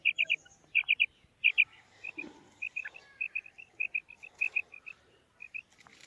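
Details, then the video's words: A female quail calls: first crisp triple notes, then steadier pairs of short, high notes repeated roughly every half second. Faint clicks and rustles sound in the background. "Maadi Batair Ki Awaz, Female Quail Calling, Female Batair Ki Awaz,Maadi karkari Female Quail voice"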